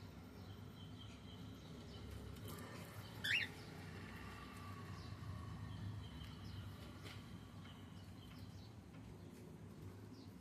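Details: Male cockatiel making a single quick upward-sweeping chirp, with faint rustling and a constant low rumble behind it.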